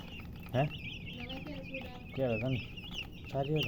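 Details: Young chicks keep up a steady chorus of piping, wavering high chirps as three louder, lower, rough clucks cut in at intervals beneath them.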